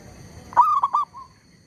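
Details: Zebra dove used as a decoy to lure wild birds during trapping, calling despite disturbance from a tree squirrel: a loud burst of low, staccato cooing pulses followed by a softer trailing note.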